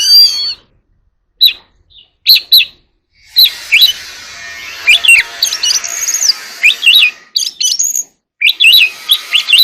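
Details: Oriental magpie-robin singing in contest: sharp, high whistled notes and quick twittering phrases over a steady background hiss.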